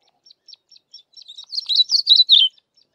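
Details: A Yellow-bellied Eremomela sings while foraging for insects in a bush: a few soft, high, spaced notes quicken into a bright, jumbled, high-pitched warble lasting about a second.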